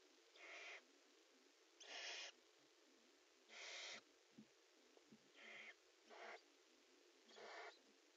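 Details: Barn owls mating inside a nest box give harsh, breathy hisses, each about half a second long, in irregular bursts with short quiet gaps and a few faint scratches between them.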